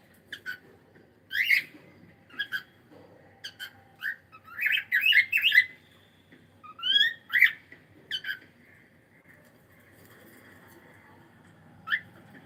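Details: Pet cockatiel chattering in a lively burst of whistled chirps, quick rising sweeps and squeaky notes, bunched densely mid-sequence then thinning to a single late chirp in a quiet room.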